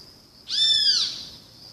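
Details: A single strident great kiskadee call, a harsh downward-curving note lasting about half a second, heard against a continuous high thin buzz.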